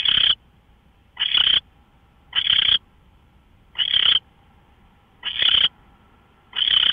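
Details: Owl captured at 5:27 AM on March 24, 2013, by a live camera: six loud, noisy screeching hisses, evenly spaced about every one and a quarter seconds, with a faint steady background tone.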